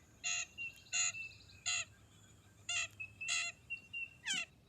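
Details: Blue jay recorded in eastern North America, giving harsh, rasping, nasal calls that are not a pretty song. About eight loud buzzy notes come in uneven bursts, with thin high tones between them and a faint background hum.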